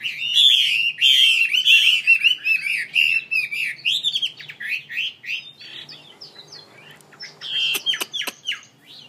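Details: Ornamental songbird from Vietnam, the mi, pours out a fast run of warbled, wavering whistles for several seconds, then softer scattered chirps with a few sharp clicks.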